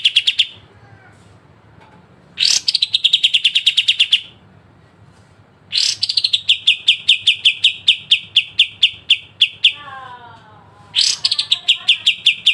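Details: Pied triller, locally kapas tembak, with a sharp besetan song for training songbirds: repeated bursts of quick, piercing notes beginning high then steadying lower, one long burst near four seconds, and a faint lower descending series in one pause.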